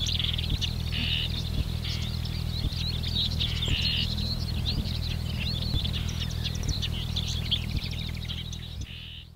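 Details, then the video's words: Marsh warblers singing at Lippetal on 3 June 2021 around 10:40: a continuous, fast medley of scratchy chatter, buzzy bursts and quick twitters, over a low hum with faint regular clicks roughly every second; the song fades slightly at the end. "Marsh Warblers (Acrocephalus palustris) / Sumpfrohrsänger"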